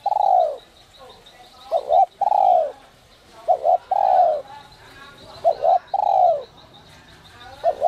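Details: Whistle-voiced ('giọng còi') spotted dove, used to rouse decoy birds, gives its coo phrase about four times. A long falling note alternates with a clipped double note, with faint high background noise.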